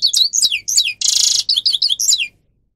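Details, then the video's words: Grey-crowned goldfinch singing, recorded for training captive birds: clipped twittering notes around a single long harsh buzz, then more twitters before fading out. "(Carduelis caniceps) Goldfinch song Best for training"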